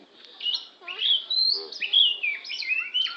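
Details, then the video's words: Oriental magpie-robin of the Lampung type singing a varied run of clear whistled notes, slurred up and down and linked into a continuous flowing phrase. "suara burung kacer"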